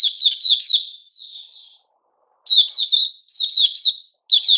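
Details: A white-rumped shama sings the "buka" opening song, 29 August 2021: a quick run of high notes, a soft trailing warble, silence, then loud repeated phrases of slurred high notes.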